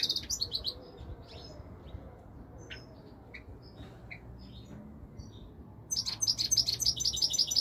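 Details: Song of a European goldfinch: quick high twittering opens, sparse soft chirps follow, then a fast, even string of bright, tinkling notes in the final seconds over a faint low hum.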